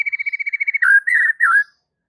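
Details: White-rumped shama song as a lure to make other shamas sing: a quick string of about a dozen identical short whistles, followed by three slurred, dipping whistled notes.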